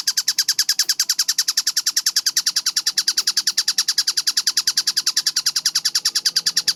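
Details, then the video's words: Tengkek buto kingfisher delivering a sustained, very quick string of high, harsh, clipped notes, about eight each second, in an even, unbroken rhythm over a soft low background. "MASTERAN TENGKEK BUTO GACOR SUARA JERNIH SPEED RAPAT"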